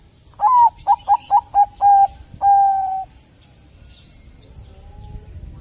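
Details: Zebra dove of the Bangkok type singing, used to prompt other doves to sing: six short, clipped notes at one steady pitch in quick succession, then a single longer drawn-out note, with faint high chirps afterward.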